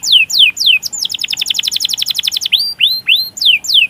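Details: Canary singing a long roll meant to provoke and train other canaries. A few swooping down-slurred whistles lead into a fast, even trill, then curved rising notes and more descending swoops.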